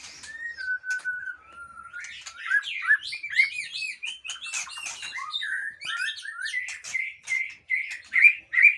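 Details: Aceh white-rumped shama from a breeding farm: a few level whistles open into a busy stream of warbles and slurs, closing with loud repeated upslurred notes.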